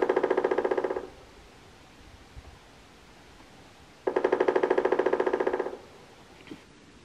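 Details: A recording of a Pileated woodpecker (Dryocopus pileatus), North America's largest, non-migratory woodpecker, is played outdoors in autumn at Maple Nature Reserve, Vaughan: two loud bursts of rapid, evenly repeated hard notes with a quiet pause between.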